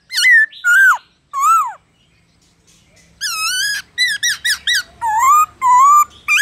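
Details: Black-throated laughingthrush singing in forest style, played to stimulate captive birds into song: loud, rich whistled phrases, some slurred downward, others rising and wavering, in clusters with a pause midway, about a hundred notes a minute.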